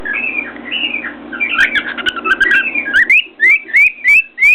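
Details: Pet cockatiel perched on top of its cage, banging its beak on a mirror and whistling: warbling chatter first, then rising whistled notes around three per second, with faint clicks and room hum.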